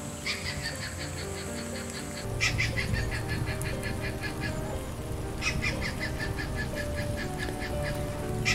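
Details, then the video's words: Very large stork-billed kingfisher (Pelargopsis capensis) calling in rapid bursts of harsh, evenly spaced cackling notes. Several series, each lasting about three seconds, follow one another over a constant low droning background hum. "Very LARGE Stork billed KINGFISHER - Pelargopsis capensis"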